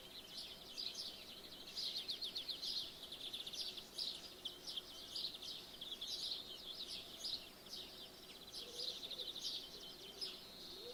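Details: Birds at morning heard from a room with the window open; busy high-pitched chirping and rapid trills from multiple birds, a faint low coo near the end, over soft background hiss.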